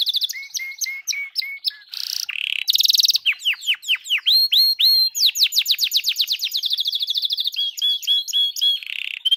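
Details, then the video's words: [2, 'Songbird master recording for contest birds, meant to teach special fill-in phrases. Varied medley of steady whistled notes, buzzy bursts, fast rising chirp series and sweeping slurs, delivered rapidly.'] "MASTERAN BURUNG MEWAH TERBARU, FULL DURASI TEMBAKAN"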